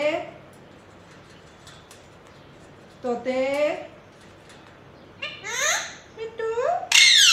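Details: A pet Indian ringneck parakeet that talks chatters in three short bursts of nasal, word-like talk with rising and falling tones, ending in a harsh high burst, in a quiet room.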